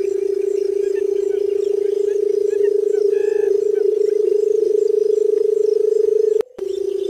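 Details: Barred buttonquail drumming: a deep, rapidly pulsed purr sustained for seven seconds with one brief gap near the end, and faint chirps of other birds above.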